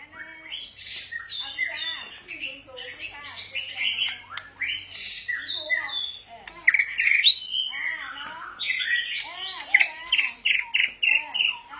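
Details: White-rumped shama singing many varied phrases: rich whistles, warbles and harsher squeaky notes in quick succession. It ends with a series of short, sharp notes repeated about twice a second. Background is quiet.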